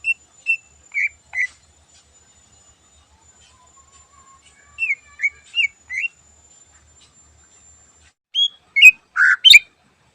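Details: Morning song of a greater green leafbird (cucak ijo) in full lively voice with many fill-in phrases. Clear short whistled notes come in small groups separated by pauses, ending with a quick burst of buzzier notes.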